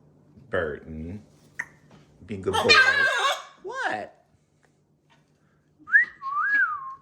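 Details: A pet macaw flock playing indoors in a kitchen gives a harsh, raspy squawk and a few throaty chatters, mixed with a person talking and two short whistled tones.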